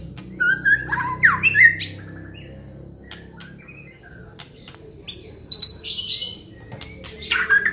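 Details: Aceh white-rumped shama singing isian: a few loud slurred whistles and stacked harsh notes, then quieter scattered chips and later bursts of buzzy high notes, with background hum.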